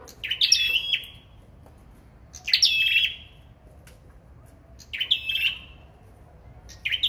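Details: Competitive singing by a sâu đầu đỏ: short dense bursts of high, slightly buzzy chirps with trailing whistles, about every two and a half seconds, with quiet between them.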